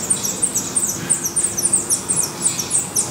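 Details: Rapid, high, descending squeaks at a Black redstart nest in Portugal, several notes per second in a tight, excited series over light hiss.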